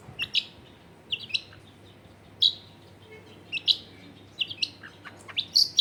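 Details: Long-tailed shrike song, used as a lure to make lazy shrikes sing, recorded at home in a crowded neighbourhood: short sharp chirps and high squeaky notes in scattered bursts, with quiet gaps and a faint low background hum.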